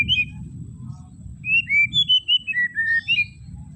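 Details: White-rumped shama singing, played to rouse a shama that sings too little: a run of bright whistled slurs stepping downward and back up, over a steady low rumble of background noise.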